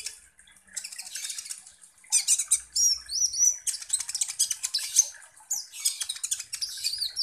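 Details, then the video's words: Sunbird, the kolibri ninja, singing hard as a lure to incite other birds. Nearly continuous high, buzzy chattering with quick slurred whistles and rapid clicks throughout. "PANCINGAN kolibri ninja GACOR"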